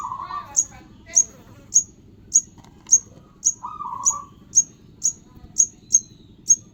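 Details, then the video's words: Young sogon bird giving piercing, very high, short chirps at a steady pace of about two per second, interspersed with two brief raspy, mid-pitched buzzing phrases, over a constant low electrical-sounding hum. "anakan burung sogon"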